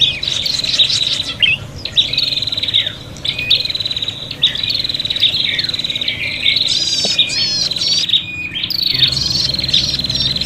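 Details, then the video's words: Noisy, agitated prinia calling, used as a lure: long phrases of high buzzing trills and quick twitters, broken by short gaps, including a looping warbled burst late on. "suara prenjak pikat ribut tarung"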